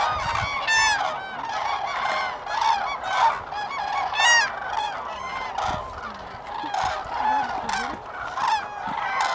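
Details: Common cranes at Lake Hornborga, Sweden, April 2017, calling in a dense flock: clear bugling notes with bright overtones stand out above a continuous murmur of overlapping calls.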